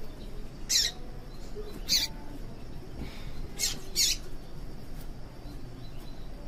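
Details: Female papa-capim, or Yellow-bellied seedeater, giving calls meant to excite males into singing. Four brief, sharp, high-pitched chirps arrive in two pairs, spaced roughly a second apart within each pair, over a low, steady background hum.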